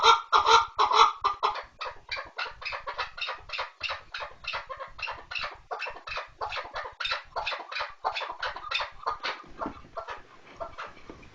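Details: Chukar partridge calling in a fast run of harsh, clucking pulses, about two per second. The run opens loud and then continues more softly, with overlapping notes that fade out near the end.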